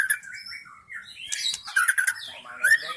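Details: Lure song of a wild forest white-rumped shama, meant to draw in wild shamas. Clear whistled notes open, then a dense, scratchy flurry of high notes, ending on a sharp rising whistle.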